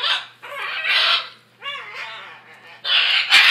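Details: Noisy macaws screeching loudly in harsh broad bursts, with a wavering nasal honk in the middle and a sharp knock near the end.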